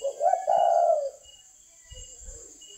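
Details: Spotted dove song from a breeding parent bird of a northern Vietnamese singing line. A loud, low, mellow cooing phrase lasts about a second, followed by fainter, softer coos. A steady high insect drone continues throughout.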